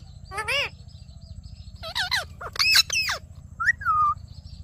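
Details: Talking ring-necked parakeet producing a few drawn-out, wavering harmonic phrases that rise and fall, followed by a short clear whistled note, with a constant low hum beneath.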